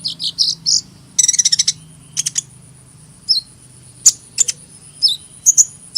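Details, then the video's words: Sunbird giving high, thin chirps in short scattered bursts, including a quick rattling series of rapid notes, with pauses of silence between phrases and a faint steady high whine in the background. "Kicauan Burung Kolibri"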